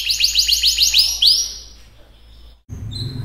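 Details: Singing canary: a run of about eight quick, downward-sweeping high notes repeated several times a second, fading into a softer held tone, a short pause, then a single clear whistle over low background rumble.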